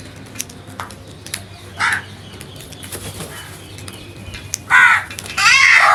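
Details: Natural crow calls given loudly: a lone short caw, then after a quiet gap two longer grating caws close together near the end, against a faint low hum.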